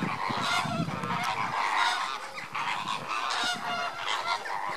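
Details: A captive flock of lesser flamingos during enrichment keeps up a constant, overlapping chorus of nasal, goose-like honks and gabbling calls, with no pause throughout.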